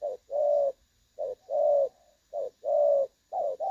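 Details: Trapping decoy recording of a spotted dove, clear-toned 'đồng son' call, 16/8/2024: crisp alternation of a short coo and a longer sustained coo, repeated evenly.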